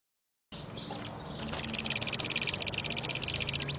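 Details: Saffron finch (canário-da-terra) during mating: a few thin high squeaks, then a rapid, high, buzzy pulsed trill repeated many times per second, steady for about two seconds, with a low background hum.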